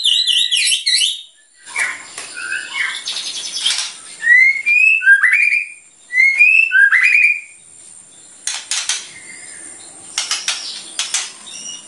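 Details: White-rumped shama in full song, its bursts said to provoke other birds: short slurred rising whistles near the top, mixed with harsh buzzy rattles and dry clicking bursts, phrases separated by brief pauses.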